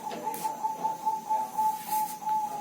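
A zebra dove gives a soft, steady mid-pitched coo broken into quick, even pulses, about four a second. The faint murmur of a room is behind it.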